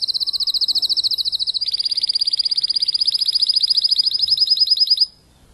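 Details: Timbrado canary tutor bird gradually returning to full song after its moult: a rapid high rolling trill that drops into a lower, slightly slower rolling tour, then stops abruptly, leaving quiet.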